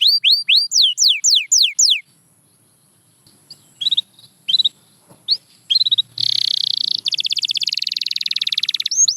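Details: Canary song to encourage quiet canaries to sing: loud swooping whistled notes repeated about every quarter second, a pause with soft chirps, then a long fast buzzing trill and a final rising note.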